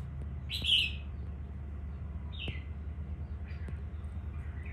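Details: A newly selected wild-caught red-whiskered bulbul from Quảng Nam, Vietnam, gives a few short, bright chirped notes spaced a second or more apart, over a steady low rumble.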